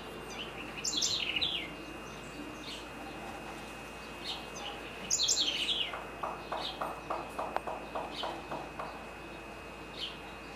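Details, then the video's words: Great kiskadee, known locally as bem-te-vi, in Florianópolis, Santa Catarina, Brazil: two loud bursts of harsh, descending multi-note calls, high and shrill. A series of lower, evenly spaced clicking pulses follows over steady background hum. "Pitangus sulphuratus (Tyrannidae) Great Kiskadee: Bem-te-vi"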